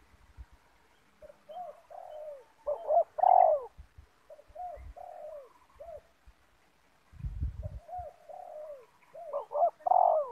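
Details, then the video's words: Spotted doves in a yard, a decoy bird used for trapping meeting a loud wild rival of the banggo type; repeated hoarse cooing phrases in bursts, some louder overlapping, with low thumps between. "Spotted Dove - Banggo VS Banggo bertemu di laman"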